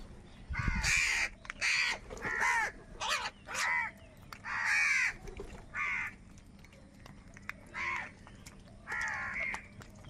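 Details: Crows quarrelling over food, recorded live. A dense burst of harsh caws comes first, then the calls thin out into more widely spaced rasping caws. A low thump is heard near the start.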